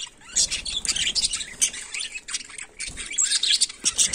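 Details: Daily-life chatter of budgerigars, Melopsittacus undulatus: busy, high, scratchy chirps and squeaky notes that overlap in quick succession, with brief gaps between bursts.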